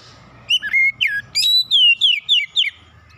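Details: Song of an Oriental magpie-robin, played as recovery therapy for a stressed bird: about ten bright whistled notes in quick succession, varied slurs and upsweeps, over a faint low hum.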